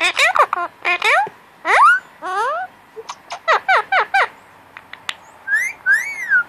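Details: Cuddle-time chatter from a pet male Indian ringneck parakeet wanting attention: varied swooping syllables and clicks, ending with two clear arched whistles.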